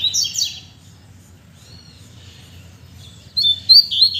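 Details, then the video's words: Caged coleiros, or Double-collared Seedeaters, back in strong song after cold, rainy weather: a short buzzy burst opens, a pause follows, then clear high whistled notes resume. "OLHA SÓ COMO MEUS COLEIROS ESTÃO CANTANDO!!!"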